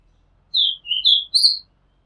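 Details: Oriental magpie-robin singing, recorded from a house rooftop in Thailand: a single phrase of four clear whistled notes, a slurred falling whistle then rising and bright notes, over near-silent background.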